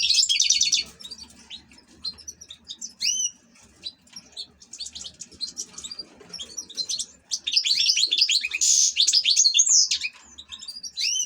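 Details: Ornamental European goldfinch singing a long, varied sequence: a buzzy trill, sweet slurred notes, then dense bursts of jingling twitters repeated across the passage.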